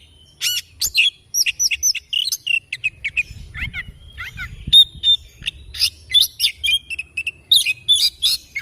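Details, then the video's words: Oriental magpie-robin in morning song, pouring out rapid trilled notes, twittering chirps and thin whistles in a busy, varied sequence, with a faint low rumble in the background. "Kicauan Kacer Dipagi Hari"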